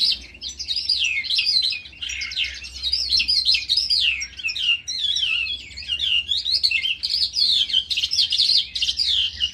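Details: A lark singing in a ravine pours out a long, unbroken stream of bright, fast warbles, trills and whistles.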